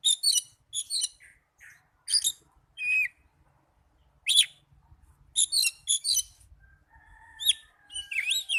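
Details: Young Oriental magpie-robin singing in bursts of high, varied notes: sharp chirps, short trills and a few rising and falling whistles, separated by brief pauses, with faint low rumbling behind.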